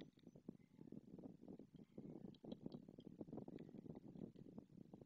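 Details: White storks greeting each other at their nest in Madrigal de las Altas Torres with the usual bill-clattering as the male arrives, shortly after the female laid a second egg; faint, rapid dry wooden rattling pulses continue throughout at low volume.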